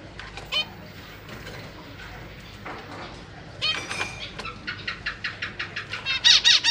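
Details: Pet zebra finches with parents feeding their young in a big cage: scattered nasal beeps, then a fast run of evenly repeated sharp calls, roughly two or three a second, growing louder toward the end.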